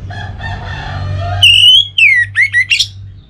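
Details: Orange-headed thrush song played as a lure to set kept birds singing: a harmonic crow-like tone at first, then loud clear whistled phrases, one long and slightly rising, followed by quick slurred and falling notes.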